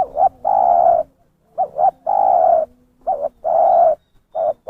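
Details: Spotted dove lure call, clear and loud, used by trappers to draw in wild doves: repeated cooing phrases of a quick double note followed by a long, steady, hoarse coo, about three phrases in under five seconds.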